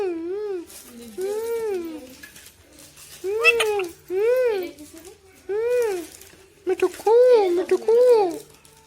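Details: Indian rose-ringed parakeet talking indoors: a series of clear, arched, voice-like syllables, each about half a second long, spaced with short pauses, imitating human speech.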